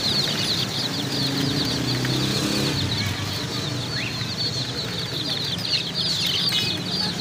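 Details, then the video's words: A crowd of chicken chicks peeping constantly, the shrill high notes packed tightly and overlapping, with a few louder single chirps standing out over a low hum of background noise. "chicks chirping sounds"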